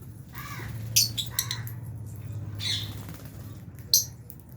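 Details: Albino and Fisher's lovebirds at mealtime in an aviary, with budgies nearby, give short harsh squawks and shrill chirps in separate bursts over a steady low hum.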